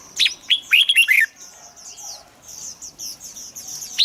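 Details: Red-whiskered bulbul, heard as a lure or a prompt for birds to sing: one quick run of rich, warbling notes in the first second, then only soft high chirps.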